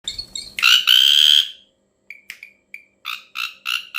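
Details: Ashy drongo giving a strange call: soft double notes, then a long harsh buzzy rasp with a whistled overtone, followed by short clipped chirps and three rasping bursts.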